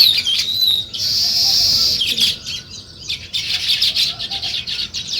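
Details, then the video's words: Morning chirping of sparrows: a loud burst of massed high twittering from many birds, a brief quieter dip, then the busy chirping chorus resumes, overlapping calls crowding together. "Sparrow Morning Chirping Sounds"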